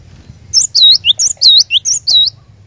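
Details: Cinereous tit singing to coax a caged bird into song: a run of bright, high whistles, each dipping and rising, paired with quick lower slurred notes, repeated steadily for nearly two seconds. Soft background hum.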